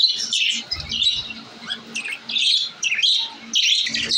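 Lovebirds chatter in shrill, rapid chirps and squeaky twitters, overlapping in busy bursts with brief pauses, like a small flock calling together indoors.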